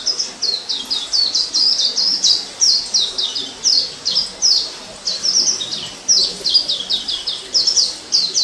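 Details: Orange-headed thrush in the wild, 2018, pouring out a rapid, continuous string of high, sharp, down-slurred chips and twitters with hardly a break, against faint steady background hiss.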